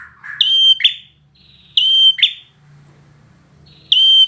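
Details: Show-quality bar-winged prinia opening with a low burry note, then two phrases of a long, level, ringing whistle followed by a quick buzzy drop, and a third whistle beginning at the close.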